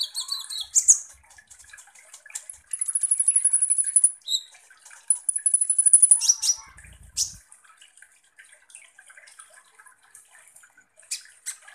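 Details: Sunbird known as kolibri ninja in full song, played as a lure to rile other birds: opening chirps, then two long, very high thin trills lasting over a second each, followed by scattered sharp ticks.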